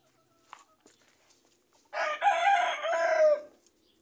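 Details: Rooster in a yard with fruit trees, ambient sound; a single loud, rasping crow lasting about one and a half seconds, slightly falling at the end, after a few faint clicks.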